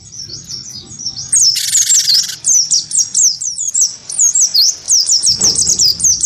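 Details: Wingko cinereous tit, singing hard against a provoking white-eye, delivers a rapid chain of high sharp whistled notes after a harsh buzzy burst near the start.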